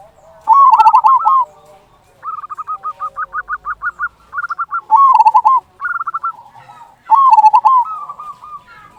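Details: Local zebra dove singing a loud "kung" song, used as a lure to stir silent or stressed doves into singing: mellow bubbling coos in short phrases, with a rapid string of even repeated notes in between, over a quiet background.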